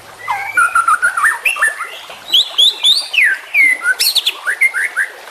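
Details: Juvenile white-rumped shama in a training recording for songbirds: flowing whistled phrases swinging up and down, a few sharp high sweeps, and rapid stuttering notes near the end.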